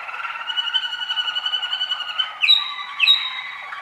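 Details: Young Waterslager canaries from 2013 singing: continuous rolling, bubbling trills held on steady tones, then sharp rising whistled notes that jump upward and hold, twice near the end.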